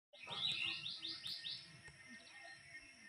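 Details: Orange-headed thrush singing a quick run of repeated clear, slurred whistled notes, about eight in just over a second, then quieter, with a low hum beneath.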